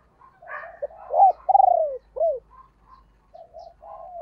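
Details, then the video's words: Decoy female spotted dove cooing to draw wild birds: a loud rising note, a strong throbbing coo that slides downward, a short arched note, then soft low murmurs. "cu mai gay kich boi nhanh noi"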